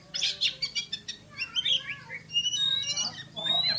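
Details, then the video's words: Oriental magpie-robin (kacer) delivering rapid shooting-style song: scratchy chattering bursts at first, then long clear whistled notes rising in pitch, with a low hum underneath. "KACER JUARA SUARA TEMBAKAN !!! BURUNG KACER NEMBAK SPEED RAPAT"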